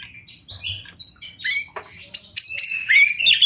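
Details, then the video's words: Kept oriental magpie-robin of fighter style delivering a varied song of short whistles and harsh scratchy notes, building to loud dense high rasping phrases with a rising whistle at the end. "kacer fighter mania"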